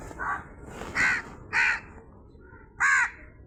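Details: A crow calls four times in an uneven series of short, hoarse, nasal caws, the later ones louder, over quiet background hiss.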